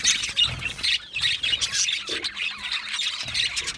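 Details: Budgerigars in an aviary, a lively flock chattering with dense overlapping high chirps, squawks and short whistles, constant throughout with small bursts, no other clear sounds.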